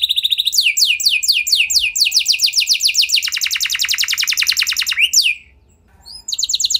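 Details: Singing F1 canary used as a lure to draw song from other canaries: a short steady note, then bright trills of swept notes turning into a fast, lower buzzy rattle, a rising slur, silence, and a renewed trill.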